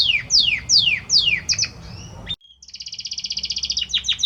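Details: Belgian canary male singing to his female: three loud downward-sweeping whistled notes, then quick chips, a brief pause, and a rapid buzzy trill of evenly repeated notes that speeds up toward the end.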